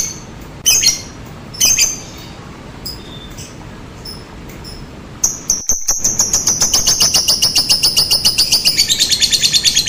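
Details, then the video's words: Lovebird lure sound of the ngetik and ngekek styles: scattered sharp high clicks, then a fast rattling trill of harsh, evenly spaced high notes that runs steadily to the end, with a brief dip midway. "Suara Pancingan Lovebird Ngetik, Ngekek, Tarikan Panjang Bikin Lovebird Anda Ikutan Nyaut Seketika"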